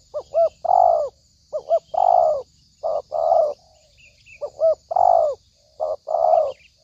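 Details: Spotted dove calling as a trapping lure: double short upswept coos followed by a long descending coo, the phrase repeated about every second and a half, with faint distant bird chirps.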